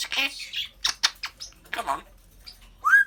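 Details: African grey parrot chatting away indoors, mimicking speech. Rapid voice-like syllables alternate with breathy hisses, then a clear rising whistle closes the sequence. A person's voice is nearby.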